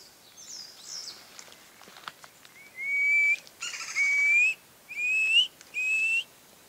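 Black-fronted Piping Guan giving four thin, rising piped whistles, each under a second long, about one per second, after faint chirps from other small birds.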